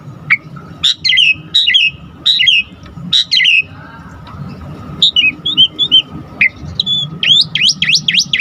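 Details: Asian pied starling in full, constant song with varied fill notes, used to provoke other starlings into singing: bursts of high whistled and buzzy notes, then rising, squeaky slurred whistles in quick succession over a faint steady hum.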